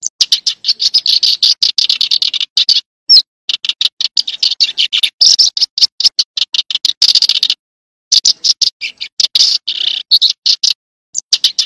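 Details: Continuous, busy chirping from tree sparrow: rapid strings of harsh, bright chips running almost without a break, interrupted by two short silences, in a clean, quiet setting.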